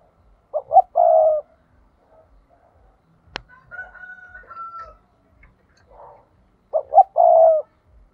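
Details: Decoy spotted dove giving its 'thúc' trapping call: two short-short-long cooing phrases at start and end, with a distant rooster crowing and a sharp click in between.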